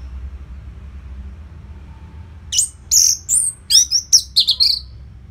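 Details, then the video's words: Orange-headed thrush, caged, belting out song with tight spacing to prompt other birds: silence, then an energetic burst of high, twisting whistles and chattering notes lasting about two seconds. "Pancingan & Masteran ANIS MERAH Gacor Jeda Rapet Suara Keras || Burung Macet Pasti Ikutan Bunyi."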